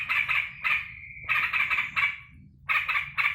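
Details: Pet yellow-vented bulbul cheering its tired owner back from work. Bubbly chatter runs into a steady held note, followed by more bursts after a short lull.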